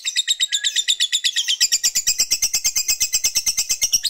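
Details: Lovebird fighter ngekek aimed at provoking opponents: fast, regular shrill chatter pulses, nearly three per second, running evenly through the whole four seconds.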